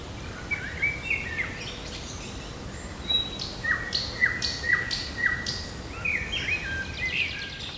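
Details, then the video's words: Morning birdsong on 8 June in park and forest: clear whistled notes repeated about every half second in a steady series, with chirps and twittering phrases from other birds around them. "Пение птиц утром в парке и в лесу"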